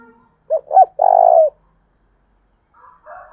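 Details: 'Thúc bổi' coo of a lure spotted dove in the 'thổ đồng' voice style: two quick hoarse notes followed by a sustained rolling coo, with brief buzzy chatter before and after.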